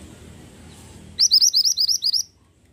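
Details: Pied bushchat in lively song, a rapid burst of around nine sharp, high-pitched rising chirps, evenly spaced and lasting about a second, preceded by faint low hum and ending in near silence.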